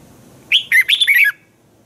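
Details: Red-whiskered bulbul kept in a cage in Thailand sings one brisk training phrase of bright, slurred whistles, rising then falling, under a second long.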